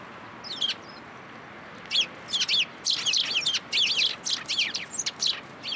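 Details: Sparrows at a feeder in a plum tree at a Tenmangu shrine in Japan on 14 March 2023. Several birds give a busy stream of sharp, high chirps in quick overlapping bursts after a brief opening call, against a faint hiss.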